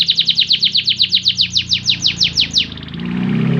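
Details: Domestic canary singing to spur other canaries into song: a loud series of sharply falling whistled notes, about six per second, fading into a soft trill with low background rumble at the end.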